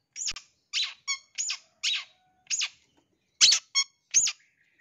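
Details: Long-tailed shrike lure call aimed at wild young birds: loud, rasping, chattering squeaks with strong harmonic bands, about nine notes in five seconds at an uneven pace, over an otherwise silent background.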